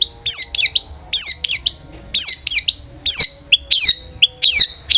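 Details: Ngeplong-style song of a long-tailed shrike, played to draw song from other shrikes: clusters of sharp descending whistled notes, repeated about every second, with short steady whistles between.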